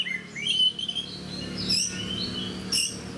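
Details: Energetic fighter oriental magpie-robin sings rising whistled phrases, then pauses between sharp, high chirped bursts that come roughly every second. A low background hum is present throughout.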